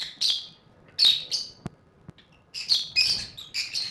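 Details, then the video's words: Lovebirds playing in a cage make shrill, scratchy chirps in quick bursts, a pause in the middle, then a denser run of squeaky notes. "Birds are playing in cage | lovebird"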